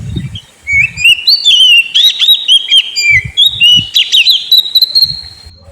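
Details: Oriental magpie-robin lure song for a sulking bird: flowing whistled phrases of rising and falling notes with sharp high clicks, ending in a long drawn whistle, amid scattered low knocks.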